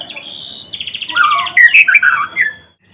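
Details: White-rumped shama of the Blorok variety singing energetically: a buzzy trill flows into a dense, rapid jumble of warbled and slurred notes, ending in a short quiet pause.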